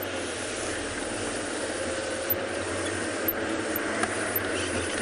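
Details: Even engine-like drone with a few sharp mechanical clicks spaced about a second apart, and no animal sound.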